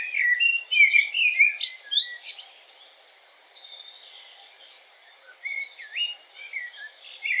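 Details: Common blackbird (Turdus merula) delivering rich, rapid fluty notes that finish in a squeaky, high twitter, followed by a pause and a second softer burst of slurred whistles rising and falling.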